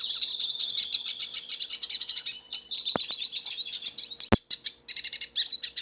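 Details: Hooded Siskin, a wild black-headed finch, singing freely outdoors: a continuous, dense, high twittering warble of fast chirps and trills, broken by a few sharp clicks near the end.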